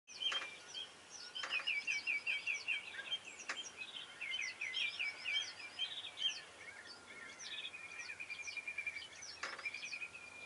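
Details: Northern lapwings give rapid, slurred, high wheezy calls, about two or three a second, recorded from a hide at Kalmthout, Belgium. A whimbrel's rippling whistled trill and a few sharp knocks sound behind them.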